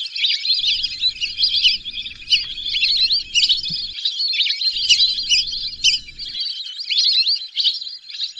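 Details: Steady, busy flock chatter of whistling ducks: bright high whistled notes and chirps repeated rapidly and layered together throughout, with a faint low hum in parts.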